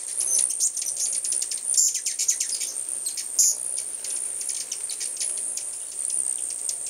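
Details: Hummingbirds gathered in numbers at a home feeding spot in 2010, giving high, thin, rapid chirps and ticks, densely overlapping with a steady high-pitched hiss throughout.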